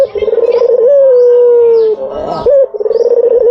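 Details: White dove coo used as a lure: a rolling, pulsed purr near the start, then a long, steady, slightly falling hum, a short break, and another rapid trill that runs into a held note.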